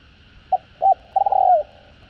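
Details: Spotted dove, locally cu gáy or cu đất, in a calling and cooing sequence for exciting newly caught birds; a single phrase opening with a clipped hoot, then a sustained note and a long trembling downward coo.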